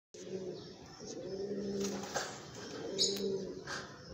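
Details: White Pomeranian Pouter pigeon, an adult male, giving low, rolling coos in three phrases of about a second each, deep and steady, with brief faint high chirps from other birds in the background.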